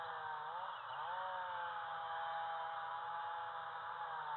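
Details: A steady, loud mechanical drone, like a chainsaw or motor running, with a slight rise in pitch near the start and no animal sound.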